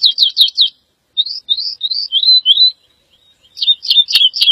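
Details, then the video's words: Woodlark song: fast trilled bursts, then a run of separate sweet whistled notes that slide up and down and fall in pitch, then more quick trilling phrases. "The song of the Woodlark -Lullula arborea -Δεντροσταρήθρα"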